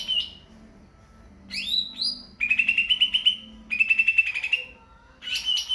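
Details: Greater green leafbird singing: clear whistled upslurred notes, then two bursts of rapid, evenly pulsed trills on a steady pitch, separated by short pauses, ending with a bright whistled phrase.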